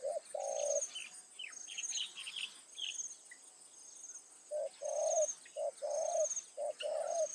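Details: Spotted dove used as a decoy to lure wild doves in a rice-field area in the late afternoon or evening. Low, hollow cooing in short-long phrases, repeated in bursts. High, steady insect buzzing and scattered chirps from other birds run behind it.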